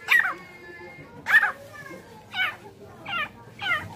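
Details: Tame female francolin uttering loud, harsh looping notes, five in four seconds, the first two strongest, then softer ones following.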